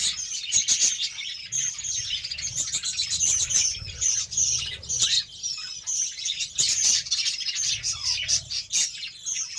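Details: Pet budgerigars, fed beetroot, chatter continuously in a dense flock, a busy mix of high, scratchy chirps and warbles with occasional sharper squawks and wing flutters.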